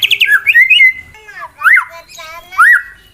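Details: Competition white-rumped shama (murai batu) singing a fighting song meant to provoke rival birds: clear slurred whistles rising and falling in short bursts about every second.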